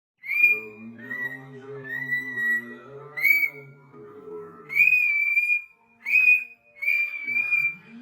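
A cockatiel whistles a series of clear, sustained notes, some rising, with brief pauses between phrases.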